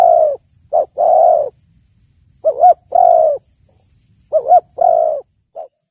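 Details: Spotted dove cooing, in a recording offered as a lure for hunting and trapping: low, mellow coo phrases, each a short note then a long sustained coo, repeated three times about every two seconds, with a quiet background.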